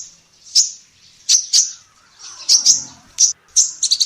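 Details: Female sunbird singing for a songbird training recording: thin, high, sharp chirps spaced irregularly, ending in a quick triple, over noticeable hiss and faint low background noise.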